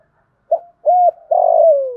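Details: A single 'giọng thổ' style 'thúc gù' phrase from a spotted dove: a short coo, a level sustained hoot, then a long vibrating purr that slides gently lower.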